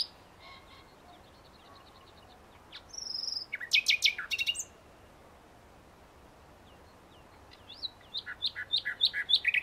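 A common nightingale sings varied phrases: thin high whistles, a harsh buzzy burst, then a fast run of repeated rising-and-falling notes, with faint low background noise.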